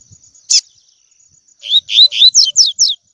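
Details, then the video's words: Training recording of a double-collared seedeater's tui tui song: a click, a short silence, then three rising slurred whistles and three rapid descending notes, bright and clear, with a faint continuous high hum. "ENCARTE COLEIRO TUI TUI P/TREINAR PARDINHO A CANTAR TUI TUI"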